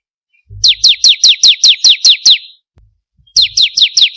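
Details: Bar-winged prinia lure recording: a clean series of about nine high, sharply downslurred whistled notes at an even quick pace, a pause, then the series starting again.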